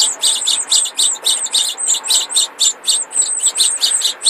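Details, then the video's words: Four Mexican house sparrow chicks, too young for males to show red breasts, begging with a fast, steady series of high, thin chirps, roughly four every second, over a faint background hum. "Crias de gorrion"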